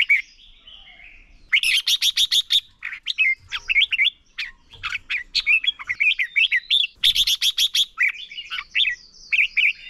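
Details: Contest singing by a red-whiskered bulbul decoy, meant to stimulate and train other bulbuls, ép bổi sổ bọng và căng lửa style: a long, busy run of fast repeated chirpy notes mixed with liquid warbles.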